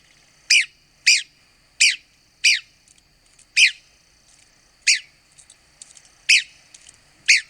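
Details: Red-cockaded woodpecker of the southeastern United States giving single harsh, raspy notes, each a short downward-sweeping squeak, spaced roughly every half second to second with brief pauses between.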